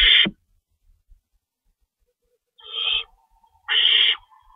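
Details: Owl nest at feeding time, 3:53 AM, March 25, 2012, as an adult tears up rabbit prey; a short harsh screech, then silence, then two more drawn-out hissing screeches with soft knocks between.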